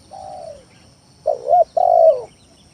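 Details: Lure song of a spotted dove meant to goad rivals into calling: a drawn-out descending coo, a pause, then a strong doubled coo ending in a long falling note. Quiet twittering of other birds in the background.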